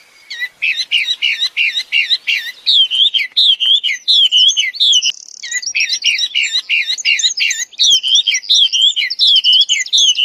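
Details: Wambi in its natural habitat, singing vigorously: a long, nearly continuous stream of high, looping whistled notes repeated in quick phrases, with a few brief breaks, on a clean background.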